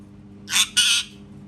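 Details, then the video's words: Parrot imitating cat sounds: two harsh, rasping squawk bursts in quick succession, the second longer, over a faint steady low hum. "PARROT MAKING CAT SOUNDS"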